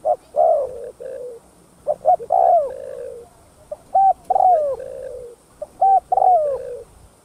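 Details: Thúc gù cooing of a spotted dove, meant to make decoy doves sing quickly: three phrases, each of quick clipped notes ending in a longer wavering, descending coo, coming about every two seconds over a faint constant hiss.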